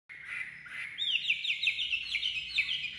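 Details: Caged Chinese hwamei just out of its transport box, singing vigorously: a sustained whistled tone, then a run of clear, rapidly repeated downslurred and looping notes, bright and high.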